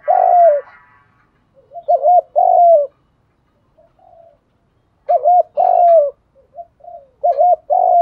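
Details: Spotted doves, male and female, cooing to provoke other doves into cooing and fighting: repeated low, hoarse, two- and three-part coos in bursts separated by short pauses, close and clear indoors.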